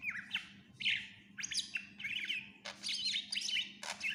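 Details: Full fill-in-rich song of a greater green leafbird as a tutor for other birds: twisting whistles, chirps and harsh bursts in a lively, varied sequence, almost without pause, over a faint steady hum.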